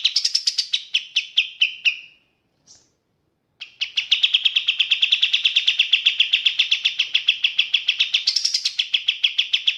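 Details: Sooty-headed bulbul, known locally as kapas tembak, singing clearly in its rapid 'tembak' style with pauses. Bright, fast repeated notes form a short descending burst, then a brief gap, then a long, steady, machine-gun-like chatter with a higher flourish near the end.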